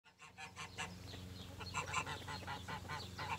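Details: Geese kept with chickens on a farm in spring, giving a series of nasal honks repeated about every fifth of a second, harsh and even, with a steady low hum and other birds faintly behind.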